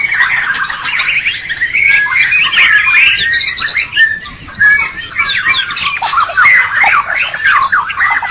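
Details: White-rumped shama that took first place in a bird contest, Medan and Java types, delivering crowded, energetic song of clipped chirps, twangy notes and fast trills without break.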